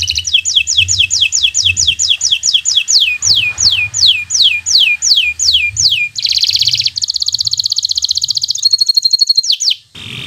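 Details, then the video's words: Local bottle-green canary singing as a master recording for beginners: a long run of repeated down-slurred whistles, slowing gradually, followed by buzzy rolling trills and a high warble. "Suara Burung Kenari Gacor Cocok untuk Pancingan Burung Belajar Bunyi"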